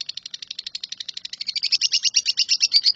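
A lovebird delivers an unbroken run of shrill, high chirps, about ten per second, growing louder and harsher as it goes.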